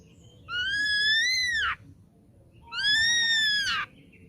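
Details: Ashy drongo, young and caught from the wild, delivers two long, bright whistles about two seconds apart, each nearly level, then swooping down sharply at the end.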